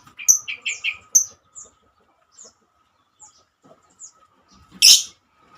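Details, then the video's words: Female lovebird, calling its companions: a quick cluster of shrill, high chirps in the first second, then sparse softer chirps spaced out, ending in one loud harsh screech. "Kicauan burung Lovebird"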